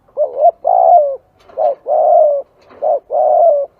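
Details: Spotted dove, recorded for luring doves, giving three rapid cooing phrases, each a short low coo followed by a longer, slightly falling purring croon, in a quiet setting.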